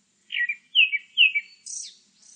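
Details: Grey-backed thrush phrase of three clear whistles that slide downward, followed by a burst of high, buzzy, squeaky notes and a faint high trill at the end.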